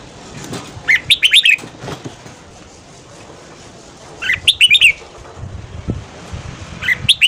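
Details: Red-whiskered bulbul morning song, used as voice training to stimulate other bulbuls to sing: three loud bursts of rapid, bright, warbled notes, roughly every three seconds, with low thumps and rustling between phrases.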